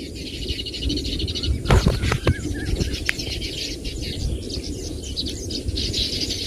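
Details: A chorus of Baya weavers in busy high chirping chatter, broken near the middle by a few sharp clicks or knocks, with low background noise throughout.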